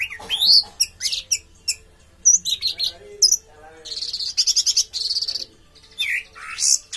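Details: Orange-headed thrush delivering a varied, energetic song of sharp high whistles, buzzy rattling trills and slurred notes that change quickly from phrase to phrase, with brief gaps between bursts.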